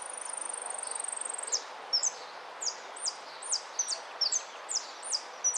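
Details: Goldfinch singing: a long thin high whistled note that then breaks into a series of sharp, high downslurred notes repeated about twice a second over a faint hiss.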